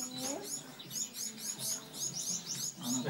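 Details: Society finches (Bengalese finches) in Maslak, Istanbul, give thin, high chirps in quick succession, several notes each second, over a low murmur that sounds like a human voice.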